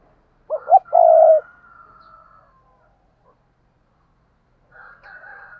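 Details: A spotted dove, a decoy bird in daily cooing training, gives soft, low, throaty coos in a short burst, then a fainter repeat, meant to stir and call in new wild doves.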